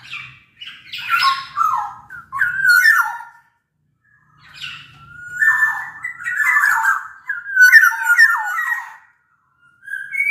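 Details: Black-naped oriole, a large-bodied local bird from Sumbawa singing actively; its song serves as a lure to get lazy orioles to sing along. Loud fluid whistled phrases with slurred, falling notes, delivered in bursts separated by short pauses.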